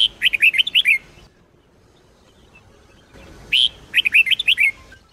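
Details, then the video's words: Sông Kôn style red-whiskered bulbul singing for song training: two lively phrases about three seconds apart. Each starts with a clear upslurred note followed by a rapid run of chirpy, bouncing whistles, with near silence between them. "chào mào SÔNG KÔN hót cực hay , dùng luyện chào mào mỗi ngày , luyện chào mào hót căng lửa"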